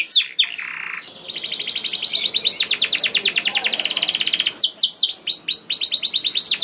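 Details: Canary singing, used to get other canaries to sing: a few sharp sweeps and a short buzz, then a long fast rattling trill lasting over three seconds, broken by slurred chirps before the trill resumes.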